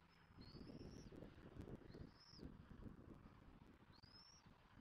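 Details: Bald eagle at a Southwest Florida nest with a chick being fed, 1 June 2024, gives thin, high, slightly rising whistles, three about two seconds apart, over a steady low rumble of wind and distant traffic.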